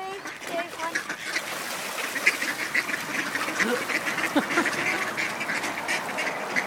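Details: A flock of hungry ducks fighting over a thrown frozen bagel, giving dense overlapping nasal quacks and squabbling calls throughout, with a broad noisy background and possible voices.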